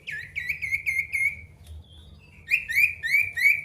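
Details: Male pied bush chat singing to challenge an opponent, used as a lure to spur quiet birds. A run of five quick, rippling whistled notes, a short pause, then another series of bright, repeated chirps at about three per second.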